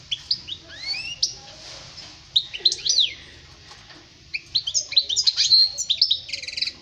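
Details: European goldfinch song for young birds to copy: clear rising whistled sweeps, a pause, then sharp slurred notes and a final dense twittering burst with buzzy elements.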